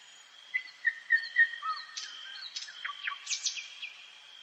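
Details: Nightingale night song in a forest, varied: soft clear whistles repeated about three times a second, then sharp rising and falling slurred notes and quick chirps, with a steady thin high tone behind.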